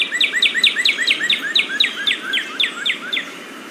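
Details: Northern Cardinal pours out a fast run of clear, downslurred whistles, about four per second, with fainter answering notes behind from another cardinal responding in a duet, and a soft insect hum.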